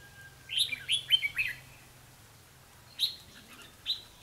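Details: Red-whiskered bulbul serving as a trapping lure bird: a loud quick run of five chirpy, slurred whistled notes, then a pause and two isolated sharp notes, against a faint low background hum.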